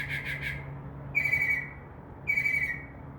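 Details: Northern mockingbird singing at night outside a window, a quick three-note burst followed by two longer level buzzy notes, with a faint low indoor hum beneath.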